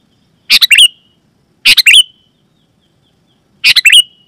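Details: Three well-spaced phrases from a sooty-headed bulbul, each a quick burst of three scratchy notes ending in a thin trailing tone; a loud call meant to make other bulbuls respond.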